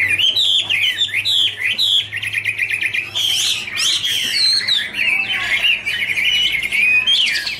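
Chinese hwamei singing a rich, continuous warble of slurred whistles and rapid trills, two birds overlapping in a loud duet with no pauses.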